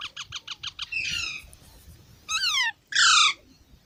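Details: Baby parrots start with a rapid run of six short clipped notes, then a drawn-out rasping note. Two loud harsh squawks follow, one sliding downward and one broad and grating.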